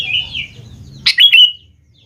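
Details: Sooty-headed bulbul singing as a lure for young birds: one short, loud phrase of bright bubbling whistles ending in a drawn-out note, after a soft slurred whistle and low hum.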